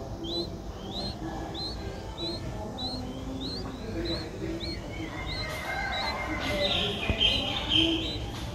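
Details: Seven-day-old streak-eared bulbul nestling with newly opened eyes, Ubon Ratchathani, Thailand, 9 April 2023; evenly spaced high rising chirps nearly twice a second, becoming mixed with rustling toward the end.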